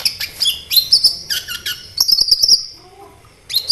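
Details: Sunbird song, 'kolibri ninja', played as a lure so sunbirds answer and sing: fast high chirps run into a sustained, sparkling trill-like phrase, then a brief pause and a final chirp.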